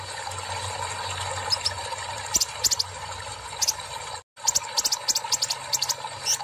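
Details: Purple-throated sunbird singing after being given water therapy: very high, thin, sharp chips in quick bursts, a few notes at a time, over a steady trickling hiss of water.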